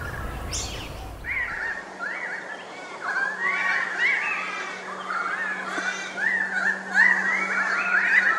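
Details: Pied currawongs calling in a busy chorus of wavering whistled notes that rise and fall, growing louder toward the end, over a faint steady low hum.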